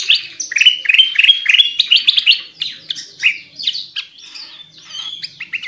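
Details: Kutilang emas (Black-crested bulbul) singing vigorously for luring: a steady stream of quick bright chirps and short warbled phrases, tumbling down and rising again, with some thin high whistles near the close.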